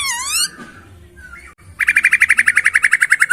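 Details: Masked laughingthrush, a kept songbird, singing clearly: a loud wavering whistled phrase sliding downward, a short pause, then a fast, even series of about seventeen sharp chipping notes, roughly ten per second.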